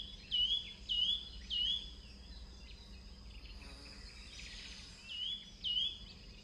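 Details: Yunnan nuthatch, perched on a limb in a southern Chinese forest, giving repeated short, high, slurred calls, spaced about half a second apart in two bursts, over a steady hiss of background noise.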